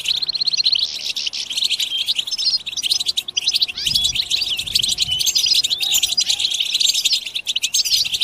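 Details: European goldfinches singing together in bitbita, a collective twittering used to push other goldfinches into singing; crowded high chatter of quick tinkling notes and short trills runs unbroken for the whole stretch.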